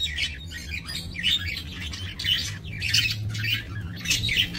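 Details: Budgerigars in a minimalist breeding aviary, 28 November 2024: rhythmic bursts of squawky, warbling chatter roughly every second from multiple birds over a faint low hum.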